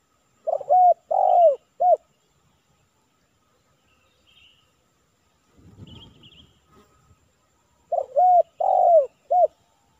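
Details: Spotted dove cooing outdoors in Silaban village, Lintong ni Huta, while a decoy is used to lure a 'kuk 3' male: two phrases of three deep, rounded coos, the middle note longest and falling, with faint high chirps and a soft rustle between.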